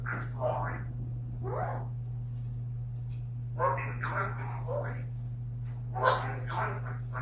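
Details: A talkative female eclectus parrot talks in short, speech-like phrases, bursts coming every few seconds, over a steady low electrical hum.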